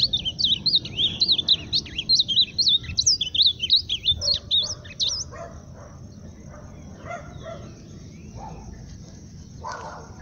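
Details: Ultramarine grosbeak singing strongly for about five seconds, a fast tumble of high warbled whistles, then the song stops and only faint scattered sounds and background hum remain.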